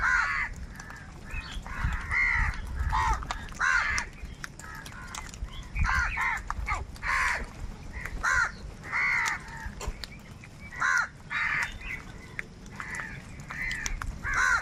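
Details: Numerous crows crying and cawing while fighting for food; harsh caws come in clustered bursts roughly every second, with brief quieter gaps between.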